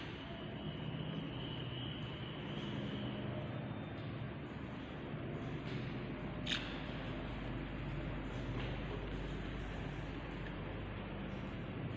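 Steady low background rumble with a few faint clicks and rustles, and no clear animal calls.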